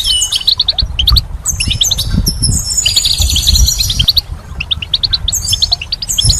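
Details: Goldfinch song in spring: rapid tinkling, liquid twitters and high buzzy trills, with layered phrases overlapping as if several birds sing at once, over a steady low rumble.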